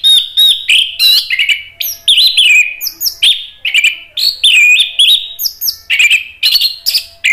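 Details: Orange-headed thrush in full, lively song, used as a lure to provoke other thrushes to answer: a dense, unbroken stream of varied rich whistled and chattering phrases, each about half a second, with hardly any pause over seven seconds.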